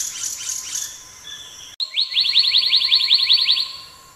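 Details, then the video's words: A black-naped monarch sings a fast run of about twenty bright, ringing notes in under two seconds after soft high chirps, over a steady low insect hum. "Black naped Monarch Song"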